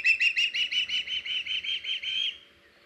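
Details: Osprey at a live-cam nest on 21 August 2019, as the male brings a fish to the female and a young bird sits in a nearby tree; about eleven sharp, whistled chirps in quick succession, ending abruptly.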